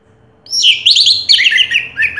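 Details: Prize-winning orange-headed thrush, named first-place contest champion in 2022, singing a fast, tumbling run of bright, slurred whistles in several quick bursts with short dips between them.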